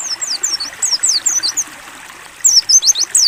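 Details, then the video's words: Clear ngalas-style song of a mountain white-eye used for training: rapid, high, downward-sliding whistled notes in a busy phrase, a short pause, then another quick burst, with running water murmuring underneath. "AUDIO MASTERAN PLECI NGALAS BUKA PARUH JERNIH + TERAPI AIR"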